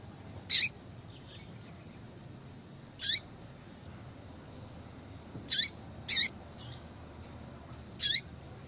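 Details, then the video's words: ['A female Yellow-bellied Seedeater calls to bring a male into breeding condition: five sharp, high chip notes at uneven intervals of one to three seconds, two close together near the end, with low hiss behind.'] "fêmea de coleiro baiano chamando Muito Para Esquentar coleiro baiano"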